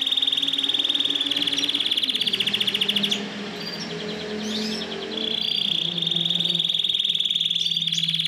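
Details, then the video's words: Yellow Belgian canary singing steady high trills, broken midway by a few sweeping chirps, with a faint lower humming murmur in the background throughout. "Canário belga amarelo cantando muito"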